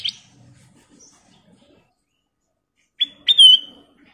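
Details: Sooty-headed bulbul giving a short, bright whistled phrase after a long silence, a sharp note followed by a sliding, slightly descending whistle.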